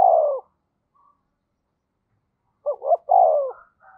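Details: Decoy spotted dove calling to excite wild doves into cooing: a long descending coo, a pause, then two short rising notes followed by a long falling coo, low and mellow.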